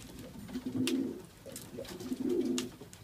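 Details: Racing pigeons kept in an Oradea loft in Romania, late March 2015, with newly hatched chicks 1-2 days old. Two rolling, murmuring coos about a second and a half apart, with light tapping and wing noise.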